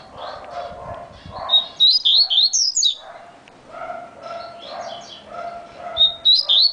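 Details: Very fast song of a yellow-bellied seedeater: a rapid chain of bright, up-and-down whistles, then a gap with soft lower tones and murmuring, before another phrase begins.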